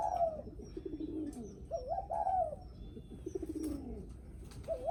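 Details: Spotted dove's guest-greeting coo, with phrases overlapping fainter low cooing from other doves. The stuttered lead-in and falling coo recur about every two seconds.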